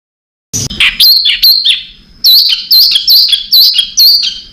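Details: Contest-training master bird song, full of fill-in phrases. After a brief silence come rapid high chattering notes and a sustained high whistle, then a series of loud, tight bursts roughly every half second.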